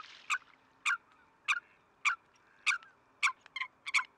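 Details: Eurasian coot (Fulica atra), Greece, February 2023: loud, piercing single notes spaced roughly every half second, with a quicker double and triple note at the end over a quiet background.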